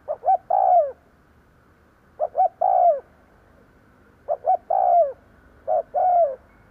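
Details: Spotted dove kept as a decoy to attract wild doves, giving four cooing phrases spaced about two seconds apart: two quick soft notes then a sustained, downward-curving coo.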